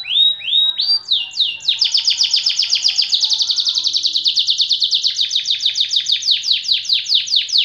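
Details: A white AF canary in long-duration song opens with a few rising whistled slides, then settles into a sustained, evenly pulsed high trill that runs on without a break.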